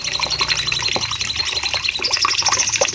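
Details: Bulbul known as cucak cungkok singing long bursts, recorded for training caged birds: quick sharp high notes and short whistles tumbling in rapid succession, with a faint low hum underneath.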